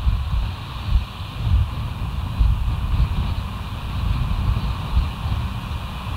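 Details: Strong wind buffeting the microphone with a low, uneven rumble and no animal voice.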